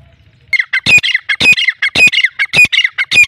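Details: Black francolin of a Sindhi breed, calling in a loud rhythmic series of harsh, clicking squawks, each burst about half a second apart, after a short quiet start.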